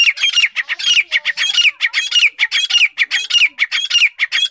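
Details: Grey francolin (teetar) calling nonstop, a steady stream of loud, rasping, repeated notes, each phrase ending in a sharp descending slur.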